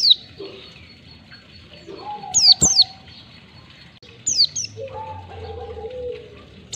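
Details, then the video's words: Oriental white-eye (pleci) ngalas song at one to two beats, from a training recording for caged birds: a few paired high descending chirps, mostly quiet between, with soft low tonal hums in the background. "Masteran pleci bahan biar cepat ngalas pleci ngalas 1 2 ketukan"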